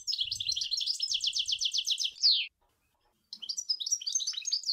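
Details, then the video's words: Sour El Ghozlane style singing by a European goldfinch: a fast rolling trill of repeated chirps capped by a loud descending slur, then after a short silence a scratchy, twittering follow-on phrase; faint low bumps early. "Chant Chardonneret sour el gouzlane"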